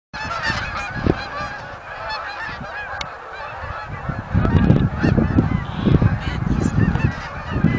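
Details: Canada geese flying in at Oak Hammock Marsh and Fort Whyte, Canada: a dense chorus of many overlapping honks from a large flock, nasal calls rising and falling continuously, with low rumbling wind noise swelling in the second half.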